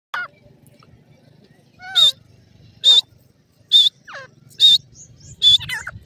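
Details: Grey francolin chicks squabbling over grass in a forest give sharp, buzzy high calls about once a second, mixed with thin descending whistled notes, over a faint low rumble.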